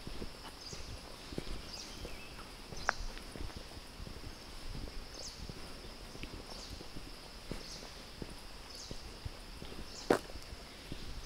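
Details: Great Hornbill in flight in the Western Ghats, Nelliyampathy Hills, Kerala, India: its wingbeats make a steady series of loud, rushing whooshes, about one per second, over a low hum of wind and distant noise.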